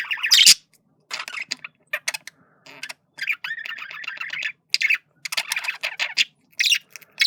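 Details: Male budgerigar warbling while flirting, caged pet; bursts of scratchy chattering and squawky notes, a few clicks and bright chirps, separated by short pauses.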